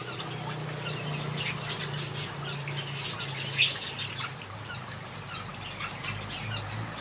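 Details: Finches in a backyard aviary singing, with many short high chirps and twitters overlapping through the clip over a steady low hum.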